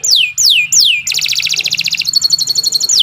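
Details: Canary song used for training: three loud descending whistled swoops, followed by a fast buzzy trill and then a higher, quicker rolling series.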